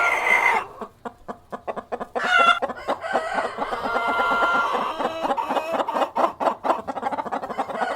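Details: A flock of hens with a cockerel cluck rapidly in a steady, pulsing stream, with drawn-out cackles and crow-like notes rising over the top.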